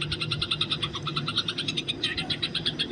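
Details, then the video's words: Eurasian tree sparrow in the wild giving a fighting song used as training material for other birds: fast, even series of sharp, ringing chirps, roughly five per second, over a steady low hum. "masteran burung gereja di alam bebas"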